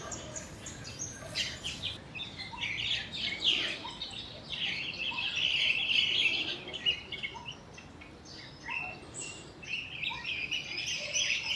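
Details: Crested myna imitating other birds' calls, mostly those of juvenile yellow-vented bulbuls, with a second myna nearby: fast, dense chirping and scratchy squawks, about four notes a second, with some thin high whistles.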